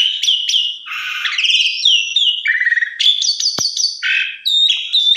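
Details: Javan pied starling lure song: sweeping whistles, a buzzy rattle, a trilled low passage and high clear notes, with one sharp click, sung nearly without pause.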